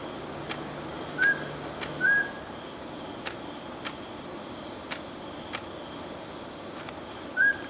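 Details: Mountain scops owl (Otus spilocephalus) giving short, clear whistled notes: two about a second apart, then a single note after a pause of about five seconds. A steady high insect trill and regular clicking ticks run underneath.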